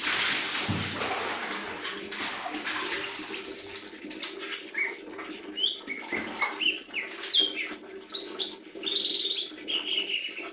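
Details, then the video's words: Lesser green leafbird: after a burst of noise, a sequence of high whistled notes and short warbles, some slurred upward, repeated irregularly over a low background hum. "Burung Hijau Daun Kecil"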